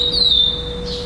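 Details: A chestnut-bellied seed finch (curió) singing in a song tournament in Florianópolis, Brazil, on 11 December 2011, placed second in the classic 'preto' category: a clear, pure whistle rising slightly, sliding down, then jumping to a brighter high note over a low hum.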